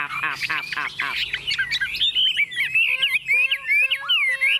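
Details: Tame Chinese hwamei singing on a table, starting with harsh, rasping bursts before shifting into a fast stream of looping, whistled notes and short sliding phrases repeated several times a second.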